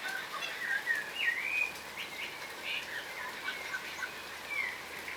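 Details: Yellow rosellas, wary crimson rosella subspecies, feed on the ground in Australia, giving bright upslurred whistles and short piping notes in irregular succession, strongest in the first two seconds, over a faint hiss.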